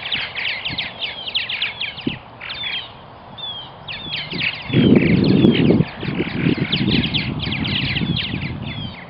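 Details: Purple martins calling at a nesting colony in Melbourne, Florida: a dense chatter of rapid, squeaky, downslurred notes from many birds, with a low rumbling noise in the middle of the recording.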